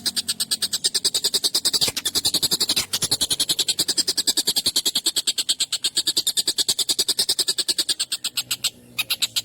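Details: An agitated collared kingfisher used as a tutor for songbirds, calling long, sharp and harsh. Quick rasping kek notes repeat continuously, with a few short breaks and faint low hum.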